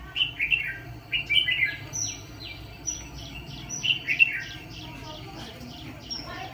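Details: Red-whiskered bulbul decoy bird kept for trapping fighting birds. It delivers bursts of bright, rolling warbled phrases in the first two seconds and again near four seconds, while thin, high descending whistles from other birds run alongside.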